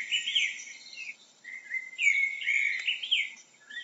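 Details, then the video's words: A blackbird sings short warbled phrases, some mid-pitched and fluty, others thin and twittering, with a brief pause between bursts, over faint background hiss. "How does a blackbird sounds"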